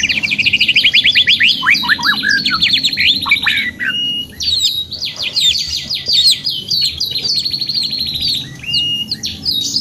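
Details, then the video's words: Canary singing gacor panjang, a long lively song for therapy: a rising fast trill, descending sweeps, then chattering buzzy phrases and clear whistles running almost without break. "TERAPI KENARI 2 IN 1 GACOR PANJANG | CANARY SINGING"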